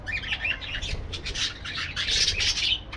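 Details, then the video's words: Several aviary parakeets chatter rapidly, with a stream of bright chirps and grating squawks that grows louder toward the end, nearly continuous throughout. "parakeet sounds"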